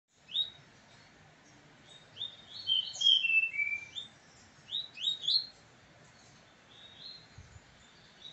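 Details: Caged brown-plumaged pet double-collared seedeater singing face to face with another brown bird: a loud, rapid run of sharp, high, slurred whistles and chips, some notes sweeping downward, bursting out in clustered phrases with brief pauses.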